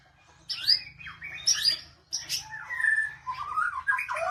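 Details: Magpie-robin with sharp high whistled slurs followed by lower, varied warbling phrases and rising whistles, loud and clear over a faint steady hum.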